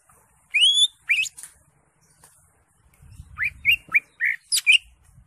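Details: Greater green leafbird (cucak hijau) singing varied phrases: a rising whistled slur, sharp upswept notes, then a brisk run of short chirps and whistles after a pause, with faint low rumble in the background.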